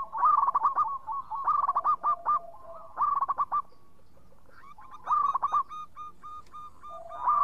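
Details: Clear-voiced local zebra dove, a lure singer, delivers fast rattling series of short cooing notes in three bursts separated by brief pauses, each burst ending in a longer held note.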